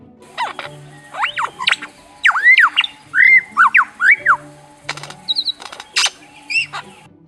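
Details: A lyrebird in forest along Australia's southeast coast runs through a rapid medley of borrowed calls: looping whistles, sharp rising and falling notes, and a thin high trill, over soft background music. Males use such mimicry to attract mates.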